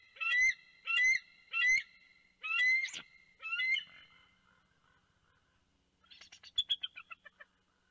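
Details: Bald eagle pair at their Big Bear nest on January 2, 2019, calling to warn a large bird, possibly a juvenile bald eagle, soaring past. Five loud, high, harmonic squealing notes about one second apart, then a quick, fading run of thin chattering notes.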